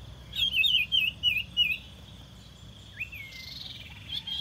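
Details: Luring song of a common iora: a rapid chain of five or six rolling, wavy whistled notes, then one rising-then-flat whistle, backed by a continuous high drone.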